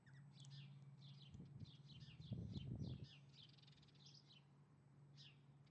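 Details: Galahs back in a backyard at late evening after months away; a rapid series of short, scratchy, high chattering notes from several birds, with a steady low hum and brief low thumps underneath.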